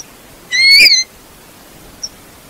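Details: Eurasian bullfinch giving one short, clear whistled note that rises and then falls, with faint overtones, followed by a tiny high click; otherwise a quiet background.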